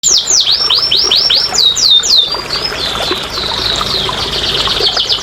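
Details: Canary song used as therapy to coax lazy, quiet canaries into singing: a fast run of repeated downward-sweeping whistles, then swooping notes settling into a steady high trill, with faint trickling background.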